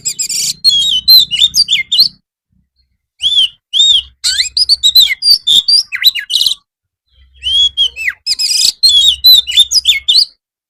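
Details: Master song of an Oriental magpie-robin for afternoon training, meant to make birds answer: loud bursts of varied whistles, slurred notes and harsh buzzy chatter in phrases of two to three seconds separated by brief silences.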